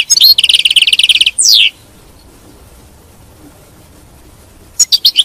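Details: European goldfinch song for keeping a caged goldfinch singing: a rapid dry trill of about a second, a descending buzzy slur, then three seconds of quiet before a few bright chips return.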